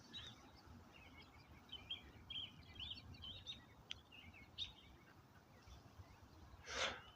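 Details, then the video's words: An American Robin sings faint, caroling whistled phrases on January 29 in West Kelowna, Okanagan Valley, unusually early in the year, through steady outdoor noise. A brief rustling burst comes near the end. "Can hear the uh robin singing. It's only January uh 29th, guys. I can hear Robin singing right now."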